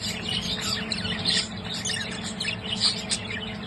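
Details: Budgerigar; chatter; courtship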